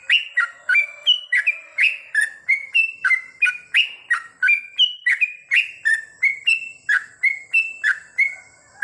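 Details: Continuous night-time song of a yellow-vented bulbul: crisp whistled notes in rapid succession, alternating higher and lower pitches, steady for nine seconds, with a faint steady high tone behind.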